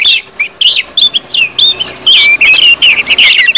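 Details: Orange-headed thrush singing 'ngeplong' for a lure recording; short separated whistled notes and chirps that speed into a denser warble, over a faint low hum.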